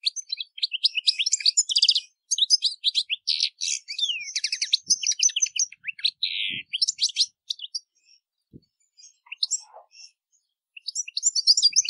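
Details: European goldfinch singing a long varied phrase: dense tinkling twitters, rapid trills and a downward-sliding buzzy note, then sparser chirps after a pause, in a quiet setting with faint clicks.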